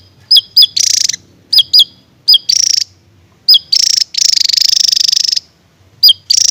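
A Javan tesia sings sharp, high, explosive double notes, each pair followed by a loud buzzy rattle, repeated several times over a quiet background.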